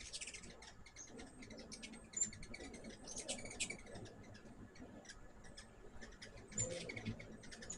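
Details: Hummingbirds visiting a backyard feeder filled with sugar water during peak season, giving high, thin chips and short squeaky twitters in loose bursts, with faint low background rumble throughout.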